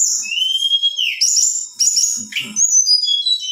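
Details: A female black-winged flycatcher-shrike sings to excite male birds. A rising whistle leads into a falling slur, followed by clusters of thin, very high notes and a few short downslurs, with faint low knocks in the background.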